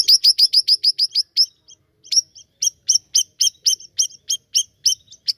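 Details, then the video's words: Actively singing siri-siri giving a rapid run of sharp high chirps, a short pause, then steady repeated bright notes about four per second. "Gacor nya Burung Siri Siri ini"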